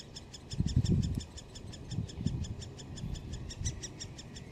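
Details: Great spotted woodpecker nestlings in a nest at Solleveld on 26 May 2018, calling as a parent comes to feed them. Rapid, even series of high ticking notes, about five per second, over low thumps and rumbling.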